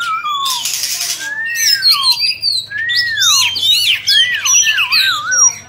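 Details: Cage-kept Oriental magpie-robin singing while dancing and fanning its tail. It gives rich, looping slurred whistles that rise and fall, mixed with rapid chattering notes and a harsh rasping burst near the start, all in a small room.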